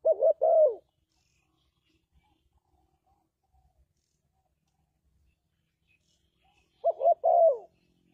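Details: Lure call of a spotted dove for trapping: one short stuttered coo phrase, about six seconds of silence, then a second matching phrase ending in a falling coo. Clean recording.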